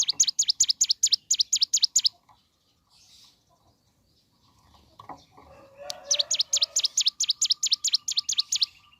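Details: High, quick, repeated dipping notes from a mountain leaf warbler singing in the morning to trigger other birds to sing; two bursts of the rapid series, separated by rustling and a soft flutter.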